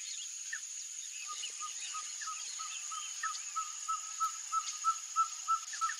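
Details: Ferruginous pygmy owl (Glaucidium brasiliense), song.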